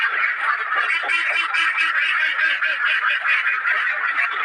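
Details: Ducks confined in a cage quacking loudly, many birds at once, with individual nasal quacks standing out from the chorus in quick pulses, roughly two to three each second.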